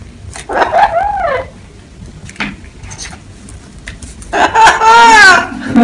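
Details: Parrot calling: a few harsh, tonal squawks with wavering arched notes, short sharp chirps between, and a loud drawn-out rising then falling screech at the end, separated by quiet gaps.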